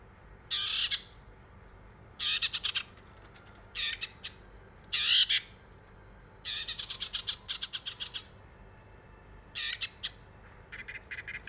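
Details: Long-tailed shrike vocalising as a lure to make other birds sing: loud, grating bursts roughly a second long, separated by pauses of one to two seconds, some breaking into stuttering chatter.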